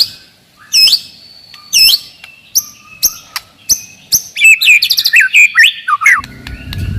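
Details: Melodious white-rumped shama song used to provoke rivals and train young birds, with high looping whistles, sharp clicks and a jumbled fast flourish of twisting notes, with a low rumble at the end.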